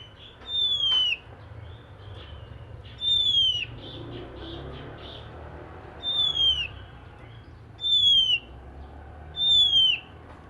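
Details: Morning song of an oriental magpie-robin, described as stirring other magpie-robins to sing; a clear high whistle sliding downward, repeated five times at uneven gaps of about two seconds, with faint softer notes between.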